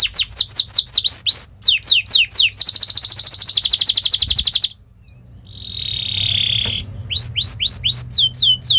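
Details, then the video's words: Canary training song for young canaries: repeated downslurred whistles, then a fast buzzy trill, a short pause, a steady drawn-out hiss-like note, and a return to sharp repeated whistles. "Kenari gacor Speed Tajam cuit cuit NgeroL | pancingan kenari ini Sukses bikin kenari Ngerol EMOSI"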